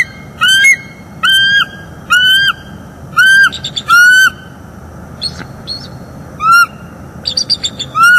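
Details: Wild bald eagle pair, northeast Florida nest cam, morning of 25 October 2021, during mating: a lively series of about ten downslurred, squealing whistles with bright overtones, some broken chatter between notes.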